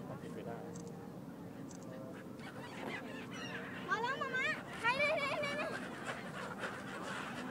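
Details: Gulls at the Bang Pu seaside resort give two bursts of harsh, wavering, nasal calls about a second apart, over a steady murmur of people talking and crowd noise.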